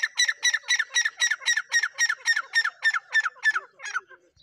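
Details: Black francolin giving a fast series of about sixteen harsh, grating, squawky notes, roughly four a second, that weaken and fade toward the end, with no other sounds.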